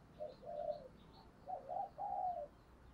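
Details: Spotted dove lure call meant to draw in other doves. A short coo and a longer coo are followed by a paired coo phrase, all moderately faint over a hissing background with faint higher chirps.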